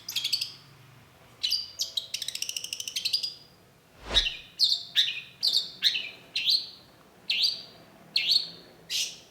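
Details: Long-tailed shrike lure song meant to provoke a response: an opening jumble of high chirps and a fast rattling trill, then a steady series of sharp, slightly descending chip notes about every half second.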